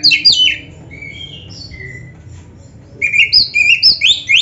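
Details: Kacer or oriental magpie-robin giving gacor training song with rich fill-ins: sharp descending notes, scattered soft whistles, then a lively run of looping, rising and falling whistled phrases.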